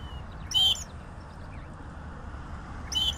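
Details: A southern grey shrike gives two short, rasping, buzzy notes about two and a half seconds apart, with faint distant chirps in the quiet gap.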